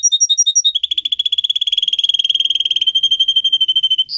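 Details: Singer canary, a pet bird used to teach others to sing, opening with spaced high double notes and then a continuous rapid rattling trill for about three seconds.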